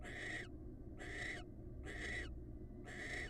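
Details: Wild barn owl in a bonding pair gives four even, hoarse hissing screeches, each under half a second, about once a second, over a low constant hum.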